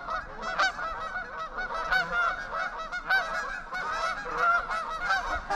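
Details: Wintering flock of trumpeter swans, 11 adults and two juveniles, on the icy Huron River at Ann Arbor, Michigan, in February: a steady chorus of overlapping nasal, horn-like honks from many birds at once, with a man laughing briefly.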